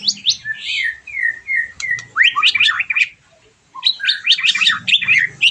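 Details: White-rumped shama song used as a lure to stimulate birds after moulting: rich, varied whistled phrases with slurred notes and rapid twittering trills, a brief pause midway, then dense chattering bursts.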